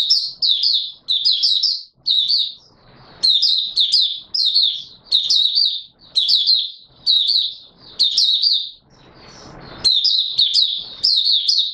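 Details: Oriental white-eye in opening song, dated 24 March 2022. A steady run of lively high twittering phrases, each roughly a second long, repeats with short gaps and occasional faint rustling.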